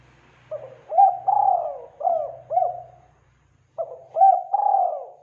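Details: Spotted dove lure call for attracting wild doves gives a soft, mellow phrase of four or five rolling coos, then repeats it after a short pause; a low electrical hum runs underneath.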